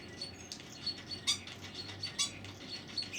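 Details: Unidentified bird on a balcony making many different funny noises: short high chirps and brief whistled notes scattered irregularly, over a steady low background hum.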